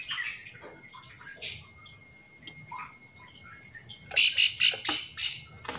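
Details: Bar-winged prinia call used to provoke other prinias into replying: quiet scattered chirps at first, then a loud burst of about six rapid, sharp, high notes near the end.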